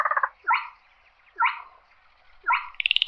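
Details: Slaty-breasted rail calling the flock with short sharp downslurred notes about once a second, framed by brief pulsed rattles at the start and end.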